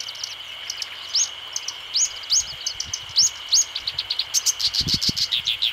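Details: Black-browed reed warbler song: a chattering string of short, high chirps and sharp upslurred notes. It starts spaced out and quickens into a rapid, varied jumble near the end, over a steady buzzing insect background.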